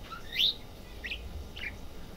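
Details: A budgerigar in a pet shop, described as talking or muttering, gives three short, bright, rising chirps spaced about half a second apart, over a faint low indoor hum.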